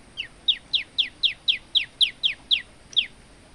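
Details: Olive-backed tailorbird, an energetic singing male recorded as a training model for other birds: a series of about eleven sharp, descending high chirps in quick, even succession, nearly four each second.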